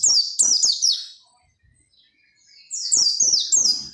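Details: Oriental white-eye (peleci) singing vigorously, used to prompt other white-eyes to sing: bursts of high, thin, rapidly descending whistled notes in two rushed phrases, separated by a quiet gap of about one and a half seconds.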